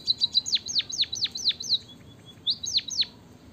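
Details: Munia, recorded as a lure for sluggish munias: fast high ticks leading into five loud, evenly spaced downward-sweeping whistles, a soft pause, then two more descending notes.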